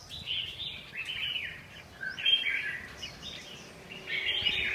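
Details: Red-whiskered bulbul giving a series of short whistled, warbling phrases at irregular intervals, with soft thin notes and light background hiss in between.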